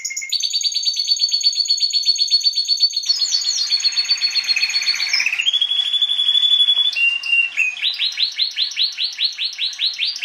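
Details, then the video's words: Singing Timbrado canary, meant for training other canaries: long rapid trills at a steady high pitch, a lower gliding roll, a sustained pure whistled note, then quick repeated downward-sweeping chirps, continuous throughout. "CANARY SINGING BEST VIDEO TO TRAINING CANARIES"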